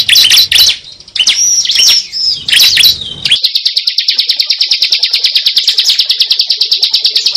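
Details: Lure call of a cible bird: first a few bursts of loud, squeaky chirps and whistles, then a long, steady, high trill of rapid, evenly spaced ticking notes.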